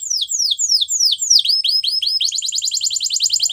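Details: Canary singing a training song: slow, repeated sharply descending whistled sweeps that speed up and merge into a rapid rolling trill.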